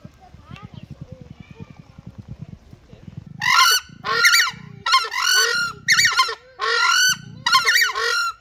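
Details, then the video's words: Southern (crested) screamers (Chauna torquata) giving a territory call: loud, harsh trumpeting honks, about six bursts in five seconds, with a low throbbing rumble before and between them. "Crested screamers, territory call"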